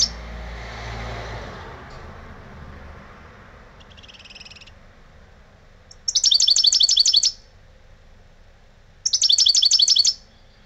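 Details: Old kept European goldfinch singing in the lebrijano style: after quiet, faint fragments at first, two bright, high bursts of about seven fast repeated metallic notes, each lasting just over a second, a few seconds apart.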